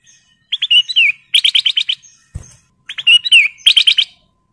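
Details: Excited breeding male golden bulbul calling for a female: two phrases of whistled notes, each with a downward slur followed by a rapid run of five sharp chirps, a brief thump between phrases.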